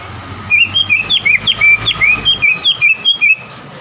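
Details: Green leafbird used as a lure to make a rival sing and become agitated: a fast sequence of varied whistled slurs and chips, repeated about four times per second, over faint background hum.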